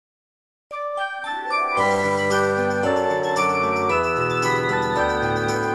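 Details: After a moment of silence, tinkling chime-like music starts, with layered glockenspiel and organ tones building into a bright melody.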